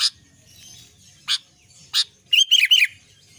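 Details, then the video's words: Short burst of song from an albino sooty-headed bulbul: three fast descending whistled slurs in close succession, preceded by a few loud sharp clicks, with a soft low background rumble. "kutilang albino gacor"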